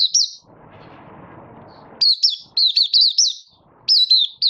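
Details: Oriental white-eye from Malaysia, caged, moulting slightly and building form, starting to sing on 24 August 2023. A single chirp comes first, then a steady run of sharp, up-and-down whistled notes about once a second, with low rumble early on.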